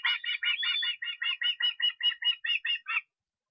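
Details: Osprey calling in Estonia on 23 August: a rapid run of about sixteen short, clear whistled notes, slightly buzzy and evenly spaced, around five per second, ending abruptly after three seconds in silence.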